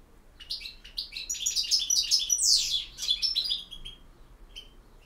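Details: European goldfinch singing in the campero style: fast, bright twittering phrases of tinkling notes and buzzy slurs, rising to a loud burst midway, then trailing into scattered chirps.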